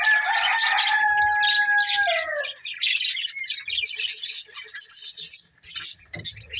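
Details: A breeding pair of budgerigars chirping: a long whistled tone slides downward over the first two seconds, then gives way to rapid, high, scratchy chatter and quick twittering notes.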